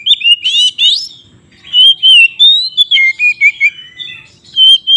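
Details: White-rumped shama singing to provoke rivals to fight: opens with harsh buzzy rattles, then clear sustained whistles and quick slurred notes, ending in a short pause and a final whistle.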